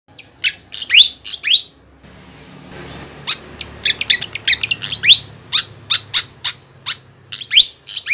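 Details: Flycatcher calling, a lure sound for trapping wild birds: sharp high chirps and downward-sweeping whistled notes in quick irregular bursts, a short pause near the second mark, with faint low background hum.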